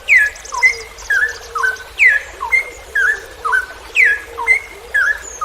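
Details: Straw-headed bulbul song for training kept songbirds, 'ropel panjang' long rapid style: a loud descending whistled phrase repeats about once a second, each followed by lower slurred notes, with faint high chatter behind.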